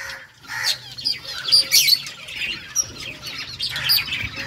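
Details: Happy budgerigars chattering: bursts of high twittering chirps with short squeaky whistled notes, rising and falling in loudness, over a faint low background hum.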